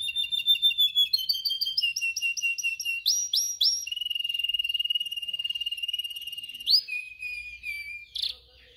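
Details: Canary singing, used as training song for canaries: a quick chattering opening, then a series of rising repeated notes, a long steady buzzy rolling trill, and a final sharp upward whistle.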